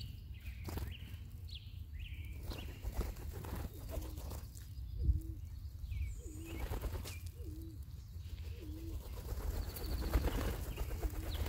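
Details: A group of local band-tailed pigeons gathered to feed give low, hooked coos about once a second, over a steady low rumble, with a few high chirps from other small birds.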